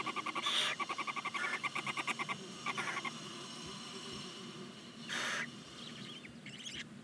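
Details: Begging Barn owl chicks, nine nestlings at day nineteen in a Hungarian nest box at Ságvár: a fast run of pulsed ticking chatter in bursts, then one broad rasping hiss and faint high squeaks.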